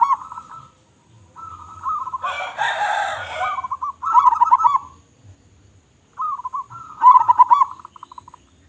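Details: Local zebra dove, singing strongly, gives wavering coos and pulsed cooing phrases, interrupted by a loud rough burst of noise in the middle.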